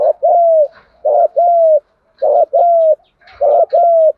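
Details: Spotted dove in thúc gù style, a cooing used to excite decoy birds: four close pairs of notes, a brief rough coo followed by a drawn-out, smooth, gently dropping hoot, nearly a pair every second.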